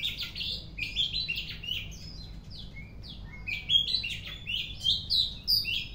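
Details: Energetic afternoon song of an Oriental magpie-robin, a busy stream of high clear whistles, quick downslurred chips and brief trills that grow louder near the end, over a faint low background rumble.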